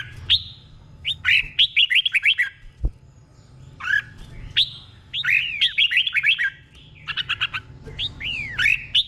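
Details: Red-whiskered bulbul, kept caged, delivering its 'boen' doubled song meant for training birds: three bursts of quick, bubbly whistled notes, each phrase of four to six arched chirps separated by pauses of about a second, faint hum behind.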